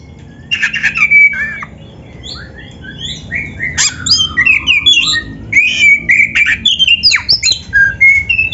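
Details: Black-breasted kacer (Oriental magpie-robin) in full, lively song packed with canary-style phrase fills, meant as tutor and lure recording; varied whistled notes, rising and falling slurs and harsh chatters in a dense, continuous flow.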